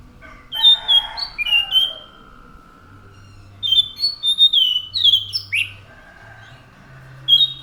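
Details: Orange-headed thrush (anis macan) singing rich whistled phrases, some sliding upward sharply, in two main bursts with a quiet gap between, over a low constant hum.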